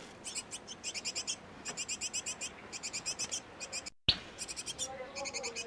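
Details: Great tit pair feeding nestlings at a nest box; repeated bursts of rapid high chirps, interrupted by a silent gap near four seconds, then a sharp click and a faint low tone.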